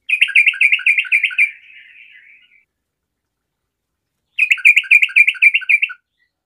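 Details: Sooty-headed bulbul of the 'garuda' type in full song, meant to make other bulbuls sing along: a fast run of bright chattering notes repeated about four per second, trailing off softly, then a second burst after a pause.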